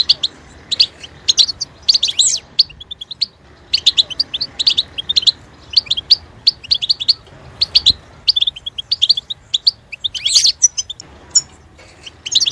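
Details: Caged European goldfinch delivering a long, continuous twittering song of rapid liquid chirps, metallic tinkles and occasional harsher buzzy notes, steady in pace with brief gaps.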